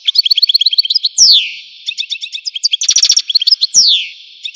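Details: Algerian goldfinch in full song: quick runs of bright twittering notes, dense buzzy rattles and two long downward-slurred whistles, delivered in a continuous, varied stream.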